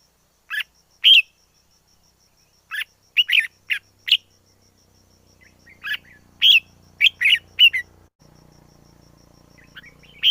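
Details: Wild red-whiskered bulbul song of quick, sweet chirped notes in loose bursts, with a low hum rising in the background during the second half.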